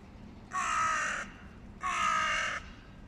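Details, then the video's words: Hooded crow amid a fight between rival clan males over high-value food while young eat; two long, harsh, rasping caws about a second apart, steady and loud against a low background. "Клановые разборки у ворон из-за еды \ Crows. Clan wars over high value food"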